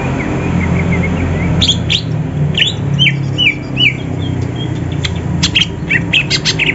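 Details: Kept greater green leafbirds of Banyuwangi and Sumatra types in the morning, readied for singing contests and seeking a rival: a series of downslurred whistled notes, then sharp high chips, over a persistent low rumble.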